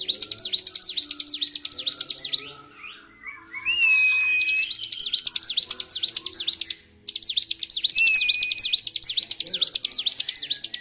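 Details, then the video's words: Bar-winged prinia in high emotion, singing on and on, 26 February 2023. Two long runs of rapid high swooping notes are split by a pause that holds a lower drawn-out whistle. "CIBLEK GACOR || PANCING EMOSI BURUNG CIBLEK"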